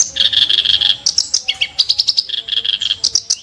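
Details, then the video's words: Sharp, harsh kerak basi song: a dense buzzy rattle, then quick alternating high chips and lower grating notes delivered in rapid succession. "burung KERAK BASI tembakan tajam & kasar"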